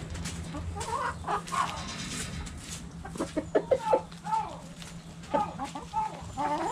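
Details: Backyard chickens pecking at a cabbage, giving scattered clucks and short nasal calls in loose groups, with knocking sounds and a steady low hum.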